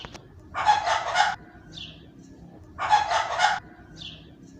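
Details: A rooster gives two harsh, raspy squawks about two seconds apart, each trailed by a faint, higher squeak.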